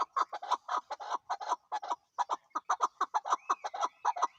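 Chukar partridge: harsh, clucking 'chuk' notes, about five a second, in a steady chattering run. A faint thin whistle sounds behind it near the end.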